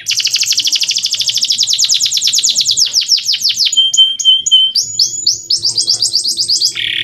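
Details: Clear song of a male canary, used as a tutor for young birds: a long fast rolling trill of high notes slowing into falling sweeps, a flat held whistle, then quick chattering phrases ending in a buzzy note.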